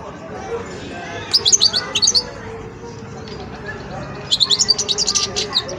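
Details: Young European goldfinch in its song-learning stage, called wiydani, practising song: two bursts of quick, high, tinkling twitters and chirps, the first about a second long and the second a little longer, over a soft low background hum.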